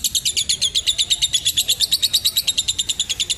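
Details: Lovebird long ngekek used to train young birds: a steady chattering trill of rapid, piercing notes, rising slightly in the middle section and continuing without pause.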